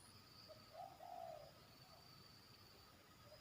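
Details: Zebra dove still in training, heard in a yard with its song's "batuk" and "poin" elements: a single gentle, bubbling coo phrase near the start, then quiet hum.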